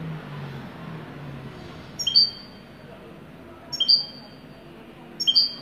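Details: A European goldfinch, described as wedani, delivers three short high double chirps after a quiet opening with a low hum. The chirps come about every one-and-a-half seconds.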